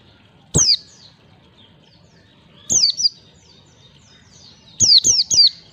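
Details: Training lure of white-eye (pleci) 'ngalas' forest-style song in 1, 2, 3 beats for young birds: a single high downslurred whistle, then a pair, then a fast triplet, each separated by quiet gaps of about two seconds.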